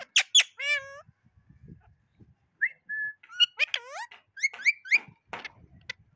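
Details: Pet Indian ringneck parakeet, trained to talk, giving a run of loud harmonic whistles and chattering speech-like phrases, some notes bending up and down, with short sharp squawks between quieter pauses.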